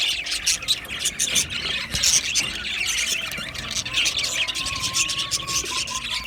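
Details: A flock of budgies chirps and warbles continuously to keep a lone pet bird company. Quick scratchy notes pile over one another, and a thin sustained whistle runs through the second half.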